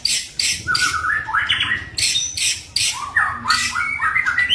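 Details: White-rumped shama, a fighter bird whose sharp, dense song serves to provoke other shamas: harsh broadband rasping bursts alternate with loud whistled slurs sliding up and down, delivered in quick, uneven succession.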